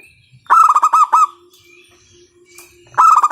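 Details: Strong-voiced local zebra dove lure call meant to set other doves singing: a rapid run of resonant, clipped coos, a low steady hum between phrases, then the next run beginning.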